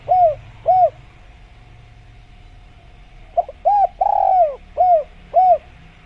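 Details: Spotted dove, natural jungle recording used as a training track for doves: two soft arched coos, a quiet gap, then a quick sequence of coos with one long rolling descending note in the middle; faint constant hum behind.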